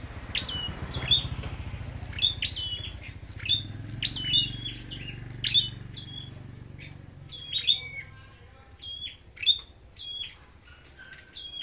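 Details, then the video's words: Red-headed flowerpecker in a singing contest, crisp high chips each followed by a short falling whistle, spaced about one second apart, over a steady low hum early on. "Chim Sâu Đầu Đỏ Hót Đấu"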